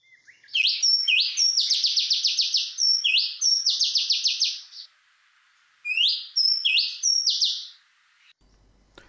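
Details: A male Oriental magpie-robin on Koh Man-nai island, Rayong, Thailand, sings its normal song: loud, rapid phrases of rising whistles running into fast buzzy trills, in two bursts several seconds long with a brief pause between.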